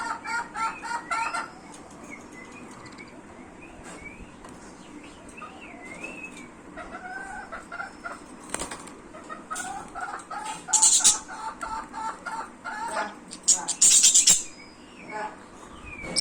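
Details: Budgerigars in a happy mood chatter in a busy, warbling stream of squeaky notes, clicks and brief whistles.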